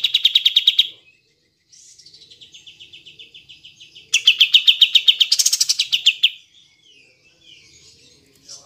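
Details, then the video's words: Bulbul known as kapas tembak, recorded to provoke reluctant birds into singing: rapid buzzy pulsed trills, with a softer run in the middle and a louder two-second burst, followed by faint chirps. "Pancingan Kapas Tembak Macet / Malas Bunyi"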